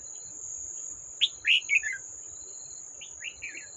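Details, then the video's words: Wild old red-whiskered bulbul, trapped in July 2024, gives two bursts of bright, bubbly chirps of four or five notes each over a steady high insect drone. "Chào Mào Già Rừng"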